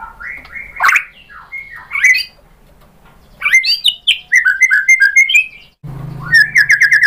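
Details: Song of a white-rumped shama: harsh rising sweeps and scratchy notes, a quiet gap, then a string of mellow whistles and a fast, even series of repeated high notes.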